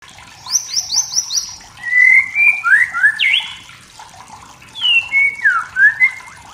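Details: Wild forest white-rumped shama singing to provoke rivals: a quick run of five high rising notes, then loud clear whistled slurs and swooping phrases in two bursts with a pause between.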